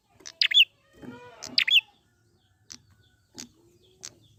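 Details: Wild prinia, played as a lure to make captive birds sing, giving sharp high chirps in quick pairs, followed by single clipped notes roughly every second, with a fainter lower drawn-out call.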